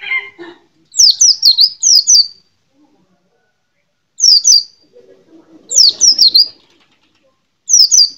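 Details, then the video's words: Small yellowish-green white-eye, a kept songbird, singing bursts of high, quick descending chirps, four or five notes per burst, separated by pauses, with a brief low murmur near the start. "Burung Pleci Mantap Neeh"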